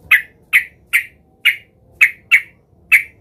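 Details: An agitated Sooty-headed bulbul seeking a rival, played as a lure for other bulbuls. Seven sharp, bright, slightly descending chips sound at fairly even intervals of about half a second.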